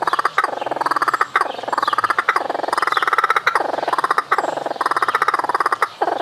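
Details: Kookaburra laughing: a rapid, rolling chatter of pulsed chuckles that swells and falls in waves roughly every second, continuing without a break.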